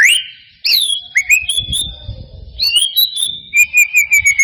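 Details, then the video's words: White-rumped shama singing, used to coax silent birds into song: piercing upswept whistles, long level high notes, and a closing series of short bright chirps, with faint low rumbling in the background. "Pancingan murai batu mancet bunyi ‼️ pancingan murai batu males bunyi‼️respon cepat"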